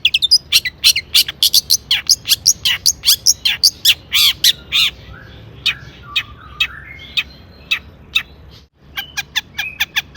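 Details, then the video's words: Loud harsh squawky notes from a long-tailed shrike used as a lure for other shrikes, delivered fast at first, then softer warbled phrases, a brief pause and renewed quick chirping. "burung cendet gacor EMOSI MEWAH buat PANCINGAN CENDET AGAR BUNYI bikin BURUNG PENTET GACOR NYAUT"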